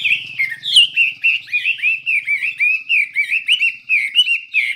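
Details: Rich, rapid song of a Chinese hwamei: a steady chain of bright whistled slurs and short warbled notes, with a faint low rumble early on.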